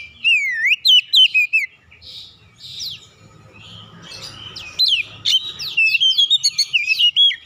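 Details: Lure song of an Oriental magpie-robin meant to provoke other magpie-robins into singing. It opens with a fast run of slurred whistles, then soft scratchy chatter. A dense burst of bright, jerky whistled notes ends the clip.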